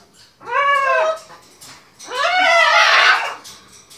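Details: Two long harmonic calls from pet macaws at play with their owners indoors, each swooping upward then holding, the second louder, wavering and harsher, separated by a short pause.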